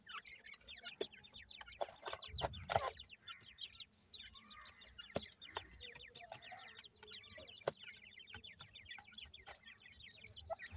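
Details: Ring-necked pheasant chicks being fed: rapid, continuous high peeping from many birds, roughly three notes a second, with a burst of scuffling noise early on and scattered sharp clicks.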